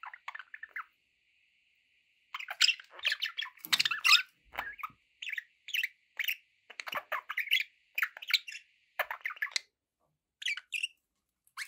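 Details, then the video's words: Pet budgerigars chatter steadily, a long stream of scratchy chirps and squeaky warbled notes in irregular bursts, over a faint steady tone in the background. "budgie sounds with background noise for relaxation"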